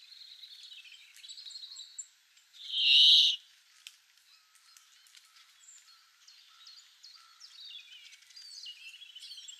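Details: Bramblings in a garden in April 2013, giving high thin chirps with one loud, buzzy, harsh note partway through, over a background of scattered twittering from several birds.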